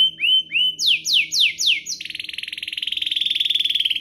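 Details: Domestic canary song used to spur other canaries to sing: a few rising whistled notes, then rapid downward-swept notes, ending in a long, fast, even buzzy trill.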